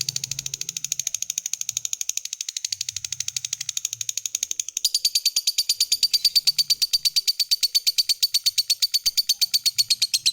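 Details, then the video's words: Lovebird of the fighter type, a strong singer, giving its long ngekek trill, meant to prompt other lovebirds to answer and sing. It is a high, rapid, buzzy pulsed trill that runs unbroken for ten seconds and grows louder and sharper midway. "SUARA BURUNG LOVEBIRD Gacor, JAGO NGETIK Bikin Lovebird Apapun Lekas TAMPIL NYAUT NGEKEK"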